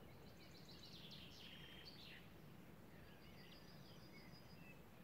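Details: A faint Yellowhammer song at Breuvanne on 11 March 2017: a quick run of high, thin repeated notes ending in a longer drawn-out phrase, over steady low rumbling wind noise.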